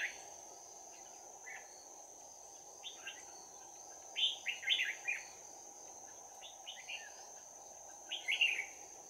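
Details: Bell-voiced fighting song of a trapped red-whiskered bulbul, 11 January 2019: scattered soft notes building to clustered bursts of quick, liquid, up-and-down notes, backed by a continuous high insect whine.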